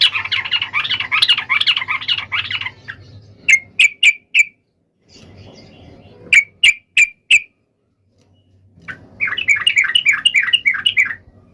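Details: Yellow-vented bulbul fighting song, used as a lure to make other bulbuls answer: bubbly, rapid chattering bursts, then a run of sharp clipped notes, a pause, more crisp notes, and chatter again over a faint low hum.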